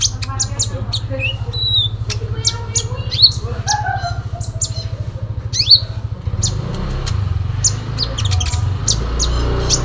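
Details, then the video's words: A sooty-headed bulbul's fighting song stuffed with imitations: dense sharp high chirps, a few lower slurred whistles and rising sweeps, over a continuous low hum that later turns rougher. "Konin Dacok full isian tarung"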